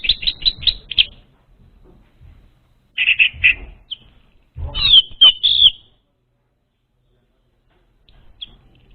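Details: Orange-headed thrush song for luring untrained birds. It opens with a quick run of five sharp, high whistled notes. After a pause come choppy warbled bursts and a sweeping, slurred phrase, with soft knocks and handling noise underneath.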